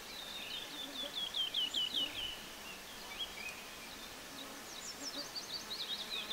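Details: Singing woodlark repeating one motif: quick series of high, slurred whistles rolling downward, a pause, then another run of bright repeated notes starting again near the end, over faint hiss.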